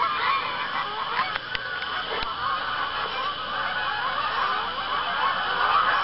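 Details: Geese honking at sundown on a pond in Arkansas, early October evening around 7:20 pm, as birds fly in and land; dense overlapping nasal honks from many birds, a steady continuous chorus with no pauses.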